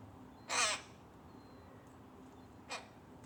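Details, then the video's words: A tame rook chick pestering its mother at feeding time: one loud, harsh, rasping caw, then a shorter, fainter rasp about two seconds later, over quiet background hiss. "Mom bird pestered by chick"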